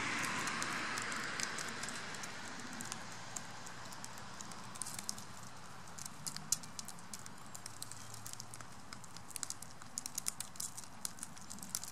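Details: Scattered dry taps and crackles over a steady soft hiss, with no calls or voices.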